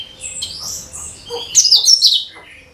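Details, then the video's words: Cucak kinoi singing as a lure for other birds: a short run of high thin whistles, then a loud slurred burst of sweet chattering notes falling away at the end. "SUARA CUCAK KINOI BUAT PANCINGAN SEGALA JENIS BURUNG"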